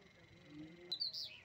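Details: Small bird giving a brief burst of high, sharp chirps near the end, a quick upward flick followed by a slurred, slightly falling note, after a stretch of faint low murmuring and a steady high hum.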